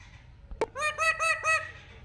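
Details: Pet ringneck parrot, called mithu locally, talking and whistling: after a sharp click come four short, harsh, ringing squawks in quick succession, each about a fifth of a second long, with a faint hum behind.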